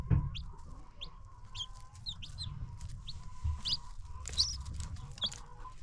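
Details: Newly hatched chicks on a free-range chicken farm: sparse, high, thin peeps over a steady mid-pitched hum and low rumble, with a bump at the start.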